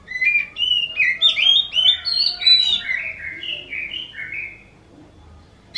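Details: Oriental magpie-robin, its voice likened to a kitten's meow, pouring out a rapid chain of high, slurred whistles and mewing notes for about four seconds before going quiet.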